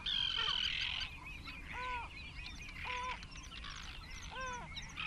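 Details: Great crested grebe calling at the nest among about 20 grebes nesting close together, 21 June 2024: arched, harmonic barking notes repeated about once a second, preceded by a loud high whistle and backed by busy chatter from other birds.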